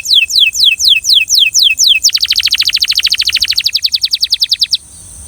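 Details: Belgian canary song with a strong rhythm: a run of high descending whistled slurs about every quarter second, then a rapid even trill of short notes for nearly three seconds, fading out; low background hum.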